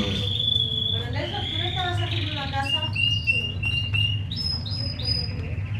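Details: Two young white Fischer's lovebirds in a cage, hatched November 2015, recorded 27 December 2015 at 11:52; shrill whistled notes and quick stepped chirps follow one another at varying pitch, with a steady low background hum.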